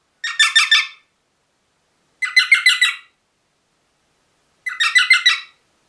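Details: Pet rosella parrot uttering three short bursts of quick, rasping, pulsed chatter, each under a second, spaced roughly two seconds apart in otherwise quiet surroundings.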